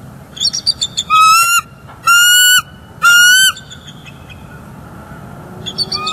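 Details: Bald eagles of a nesting pair in northeast Florida, calling on a December 2021 morning around mating, during incubation: a few soft chips, then three long, steady, high piping notes with rich overtones, each held about half a second.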